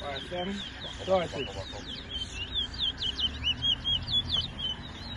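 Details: Chestnut-bellied seed finch, known locally as towa towa, singing during a 2022 bird race at a bird ground in New Amsterdam, Guyana. Men's voices open the recording, then rapid slurred whistled notes repeat about twice a second over a crowd murmur.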